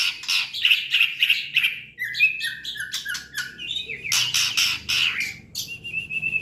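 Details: White-rumped shama song mixing rapid harsh chattering bursts with short clear whistled notes and slurred upward slides, delivered in quick irregular runs with brief pauses.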